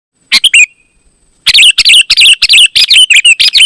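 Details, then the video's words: Sooty-headed bulbul (kutilang) in lively 'gacor' song, used to call wild bulbuls in forest and to tutor birds kept at home: two bright chirps, a pause, then a fast run of bubbly, slurred phrases in quick succession. "Suara Burung KUTILANG GACOR, Ampuh Untuk Suara Panggilan Burung Kutilang AUTO Ikut Gacor"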